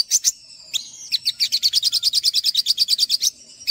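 An olive-backed sunbird sings a rapid, high twittering trill of about twenty sharp notes, after a few thin opening chips and a short whistle.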